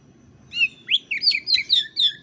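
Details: Oriental magpie-robin (kacer) master song meant to lure and train kacer whose voice is not yet full: a rapid run of loud, clear whistled notes, rising and falling slurs delivered about four per second over a faint low hum.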